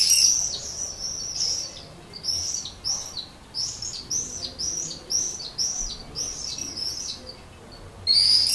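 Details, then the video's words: Common swift in a terracotta nest pot under a terrace roof in Leuven, Belgium, on 7 May 2016 at 21:05, calling to attract a partner: a long run of shrill, high, buzzy screams in short repeated bursts, with a louder scream at the end. "Gierzwaluw lokt partner in bruine terracottapot"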